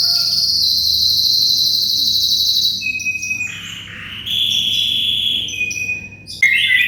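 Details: Canary song used as a tutor for white-rumped shamas: long sustained high whistled and rolling trill phrases shift in pitch, over a steady background of insect-like chirring and low hum.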